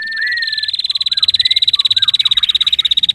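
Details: Female prinia singing actively: a long, fast, steady high trill of sharp repeated pulses, over three per second-tenths, with brief lower whistled slurs woven underneath.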